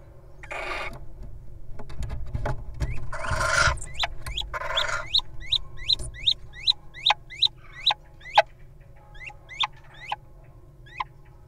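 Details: Little owl pair at a nest box, one guarding while the other enters; heavy rustling and scraping at first, then a long series of sharp, rising yelping calls that slowly grow sparser.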